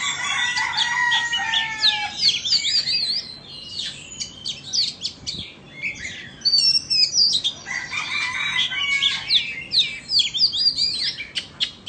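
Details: Two Oriental magpie-robins, one Vietnamese and one Indonesian, matched in a singing contest: bursts of rich whistled phrases with sweeping and slurred notes and scratchy chatter, two loud spells separated by a quieter pause near the middle.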